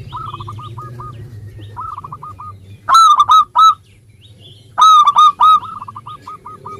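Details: Local zebra dove in full song, meant to draw lazy birds into singing: soft staccato cooing runs interrupted twice by bursts of three loud, rich, ringing coos, with more quick notes trailing after.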